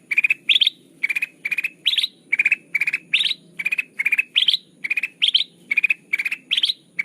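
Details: Sooty-headed bulbul call played to lure birds into traps: a fast, even run of chattering bursts, about seventy a minute. Lower rattles alternate with brighter, higher-pitched ones against a quiet background.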